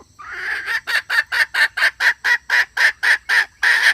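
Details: Red junglefowl hen calling to attract males, starting with a drawn-out harsh note, then a regular train of short grating clucks, roughly three per second, loud and clear over a quiet background.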